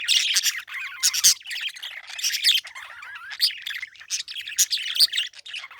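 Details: Parakeet chirping with a steady stream of scratchy squeaks, trilled warbles and sharp squawk accents roughly every second.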